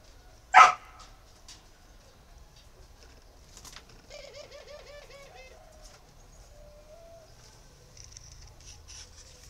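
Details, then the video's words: Spotted dove at a breeding farm in Ba Vì, northern Vietnam. A sharp loud bark opens, then a low rolling run of soft coo notes follows midway, trailing into a single steady note in a quiet setting. "chim cu gáy hay miền bắc"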